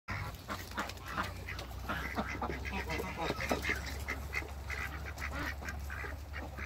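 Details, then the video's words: Four Pekin and hybrid mallard ducks meet one another, giving a steady stream of short, rough quacks that overlap in quick succession over a constant low hum. "MEETING FOUR DUCKS BEKIN & HYBRID MALLARD DUCKS"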